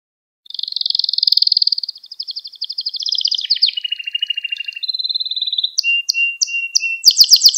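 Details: Canary training song for tutoring young birds: a long, even, buzzy roll sliding lower in steps, followed by a steady whistled note and a series of sharp rising chips at the end.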